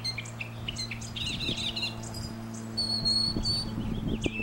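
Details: A northern mockingbird sings from a telephone wire, running through rapid, varied phrases: chattery repeated notes, then clear high whistles, each motif switching quickly. A steady low hum runs underneath.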